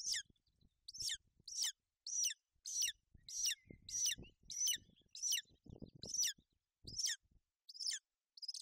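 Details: High, thin golden eagle chirps repeat steadily, about fourteen notes each slurring downward, at a Bucovina nest on 28 May 2021 while the female keeps her chick warm and dry in bad weather. Low bumps and rustles sound beneath.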